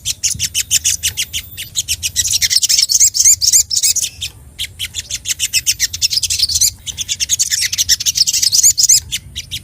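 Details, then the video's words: Emotional, rival-seeking song of a sogok ontong sunbird: long runs of fast, high, sharp chirps near four per second, rich twittering phrases with thin upslurred whistles, pausing briefly around the middle before continuing. "SOGOK ONTONG | mp3 SUARA GACOR FULL EMOSI CARI LAWAN"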